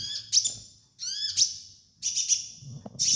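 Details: Sunbird master song for training: three quick bursts of high, thin chattering notes, one with clear descending slurs, ending in a sustained shrill trill, with a low murmur in the background.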